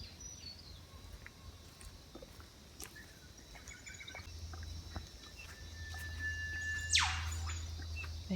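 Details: Eastern Whipbird calling in the background in a quiet forest at Pottsville Environment Park: a long, thin whistle that snaps into a sharp whip-crack near the end, over a steady low hum.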